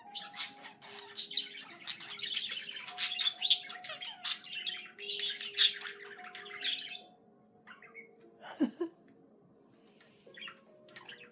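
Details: Budgerigar kept as a pet chattering in a fast run of high chirps and squawky twitters for about seven seconds, then trailing off into a few scattered notes over a low background hum.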